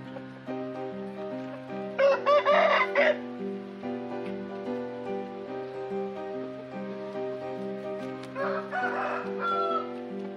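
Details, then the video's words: Bangkok and Mangon roosters crowing: two harsh, strained crows of about a second each, near the start and near the end, over steady music playing throughout. "kokok ayam bangkok & ayam mangon"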